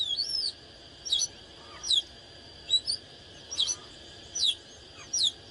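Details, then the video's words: Excited oriental magpie-robin delivering short, sharp whistled bursts roughly every second, each a quick down-slurred or rising flourish, against a faint continuous high hum. "เสียงนกกางเขนบ้านหรือนกบินหลาขี้ควายใต้ Chích chòe than CHÒE THAN CĂNG LỬA HÓT MÚA CỰC HAY"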